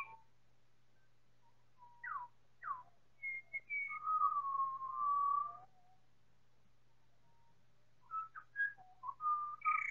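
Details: Time-stretched chorus of four Pied Butcherbirds: sparse whistled notes, then steep upward-sweeping slurs, long sustained falling whistles, a pause of near silence, and a closing cluster of short mellow notes, all over a low electrical hum.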